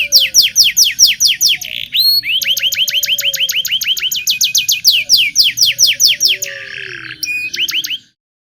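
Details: Local canary singing loudly, used to teach young canaries to sing: long runs of sharp falling whistled notes repeated several times a second, brief buzzy rasps between phrases, ending abruptly in silence.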